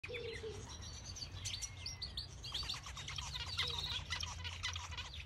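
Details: A male jumbo zebra finch sings a rapid run of buzzy, nasal notes and clicks over a low hum.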